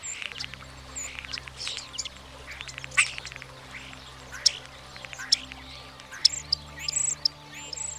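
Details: European Starling (Sturnus vulgaris) song: a jumble of sharp high whistles, clicks and wheezy rattles, broken into quick bursts; a faint steady low hum underneath.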